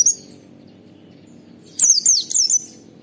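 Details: Oriental white-eye 'wit wit' calls from a training and lure recording: after a quiet stretch comes a single quick burst of three high, piercing, downward-sliding whistles.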